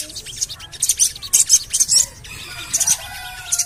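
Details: Javan cochoa lure call, the 'cuit cuit cuit' used to get birds singing: bursts of very high, hissing chirps come in clusters about every half second, with faint lower whistles running underneath.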